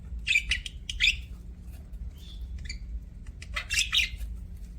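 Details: Budgerigar chirping, likely several birds in an aviary or kept as pets: short bright chirps and squawky bursts come in two clusters, with a brief whistled tone between them, over a low steady background hum.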